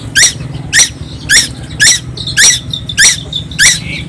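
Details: Young tuwu from Timor Island that keeps singing without pause. Seven piercing, high notes drop quickly in pitch, repeated evenly about twice a second, with a low droning hum underneath.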